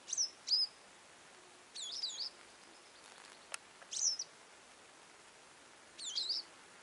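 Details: High, squeaky Western yellow wagtail chirps, some single and some doubled into a short wavering phrase, five bursts in all, with one sharp click midway against faint hiss.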